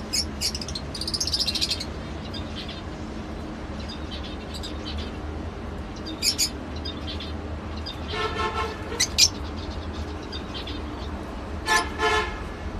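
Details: Lovebird calls in scattered short bursts: a harsh, rasping chatter early on, then brief buzzy squawks spaced a few seconds apart over a steady low hum.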